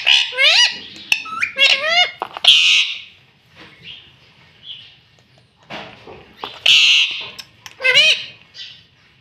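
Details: Captive rose-ringed parakeet saying "mummy": quick bursts of nasal, bent, harmonic syllables, broken by a harsh rasping screech. Soft clicks and room noise fall between the phrases.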